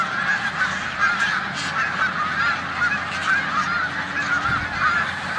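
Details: Large flock of snow geese resting in a corn field in Savannah, New York, on 14 March 2020, days before migrating to the Canadian tundra, alongside resident Canada geese; dense, unbroken chorus of overlapping high, nasal honks and yelps.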